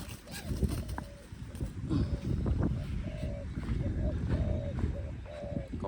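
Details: Dove near nightfall repeating firm, flat coo notes, several short hoots then longer held ones roughly every half second to a second, against rumbling noise and scattered knocks.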